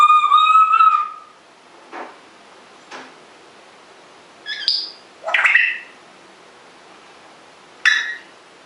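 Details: A rescued pet African grey parrot of uncertain sex, which talks when its owner leaves the room, gives a drawn-out bending whistle, then a few clicks and several short, sharp chirps and squeaks in a quiet room.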